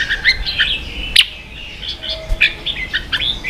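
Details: Competing red-whiskered bulbul, a cage bird from Vietnam, spurred into combative singing: short chirpy warbles and liquid whistled phrases broken by brief pauses, with one sharp click-like burst and a soft steady tone in the background.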